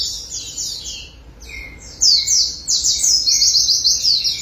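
A white-eye sings a rapid, high twittering song of thin chirps and trills, bursting out loudly after a quieter start, with a few clear lower whistles.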